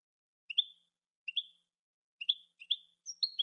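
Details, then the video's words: European goldfinch on a song recording: short chirped notes around high pitch, each a quick rising twitter, spaced about a second apart, ending in a faster cluster of bright tweets; clean, quiet background. "cante de jilguero"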